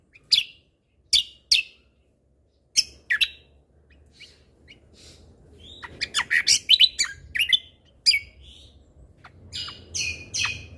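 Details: Cucak kombo, or lesser green leafbird, in 'gacor' tutor song with 'isian tembakan' fills: a few spaced loud cracking chirps, a short pause, then a busy tumbling flurry of high chirps, slurs and buzzy notes over a soft hiss.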